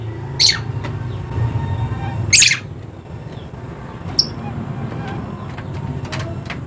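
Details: Dusky lory, endemic to Papua, eastern Indonesia, lets out two harsh high shrieks early on, then a few fainter sharp notes, against a busy low background rumble.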